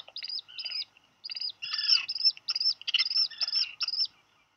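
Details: Black Guillemot chicks, Seal Island National Wildlife Refuge, Maine, USA, 8 July, after a fish is dropped; clustered high peeps mixed with buzzy, rasping notes in short rapid bouts.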